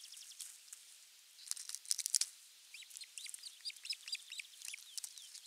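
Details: An Osprey at a Finnish nest, 23 June 2020, on the morning a half-kilo crucian carp was brought, gives a burst of loud, high chirps, then a quicker run of short, clipped whistles, several each second, with a faint hiss behind.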